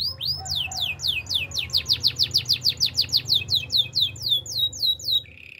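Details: Belgian canary singing in the morning: a fast run of bright, down-slurred whistled notes, about three to four per second, ending in a short buzzy note over a faint low hum.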